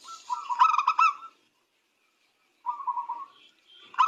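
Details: Zebra dove of a local strain: a short burst of rapid low cooing trills, a long silence, then a softer trilled phrase, with faint high whistles.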